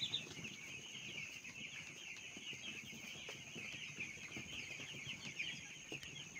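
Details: Small broiler chicks on a poultry farm, a continuous shrill cheeping chorus from many chicks throughout, steady in loudness with a brief louder chirp at the start and light rustling below.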